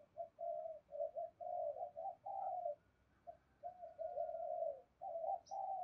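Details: Spotted dove call meant to set off cooing in other doves, heard faintly: a run of soft, flat, burring coos with gaps, over a steady low hiss.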